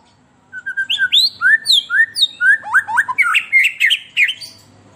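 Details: White-rumped shama song used to lure captive birds: after brief silence, a loud fast run of varied whistled slurs and sharp downward notes, turning into a dense chattering, buzzy climax.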